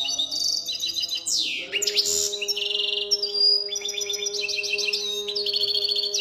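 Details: Continuous goldfinch song: fast, tinkling chatter with a sharp descending slur and rolling trills, accompanied by a constant low drone.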